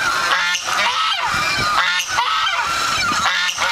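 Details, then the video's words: Geese reacting to the sound of their own voices, producing a steady wall of harsh, overlapping honks from several birds, the calling surging in bursts roughly every second with hardly any quiet. "When Geese Hear Their Own Voice"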